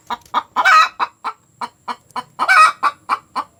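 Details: After laying an egg, a hen cackles with rapid, clipped clucks at about four per second, twice swelling into a loud, rough, stretched-out squawk.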